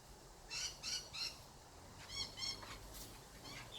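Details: Harry, a pet blue-and-gold macaw, gives a string of short, harsh, nasal squawks, three quick ones, a pause, then several more, indoors while playing and swinging; Blue-and-yellow macaw.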